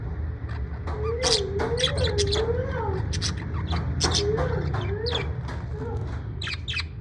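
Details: Parrot in a good mood in the USA producing a wavy, looping mid-pitched warble, repeated in phrases, mixed with rapid sharp clicks and chatter-like notes over a low hum.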